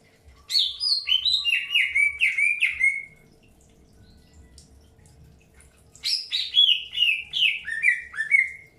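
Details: Greater green leafbird during early pairing; two bursts of rapid descending whistled notes, each phrase stepping lower over three seconds, separated by a quiet gap.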